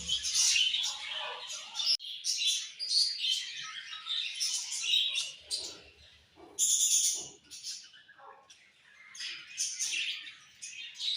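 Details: Budgies chirping during morning feeding, a busy flock chatter of high scratchy warbles and sharp chirps in bursts, with short pauses and a few abrupt louder notes.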